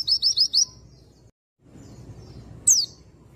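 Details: Four quick, short high whistles from an Oriental white-eye, then a silent break and one sharp falling note, part of a recording meant to make an untrained male sing.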